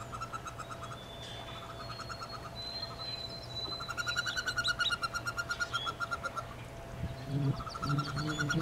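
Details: Brood of nineteen wood duck ducklings and one hooded merganser chick in a nest box, April 2013. Busy overlapping peep series rise and fall, with a few thin whistled notes, some bumping near the end, and a steady hum.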